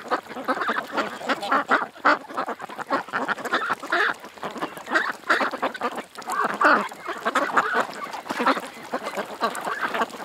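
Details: A flock of ducks at a creek, many birds quacking and honking over one another in dense overlapping bursts, harsh nasal calls repeating without pause.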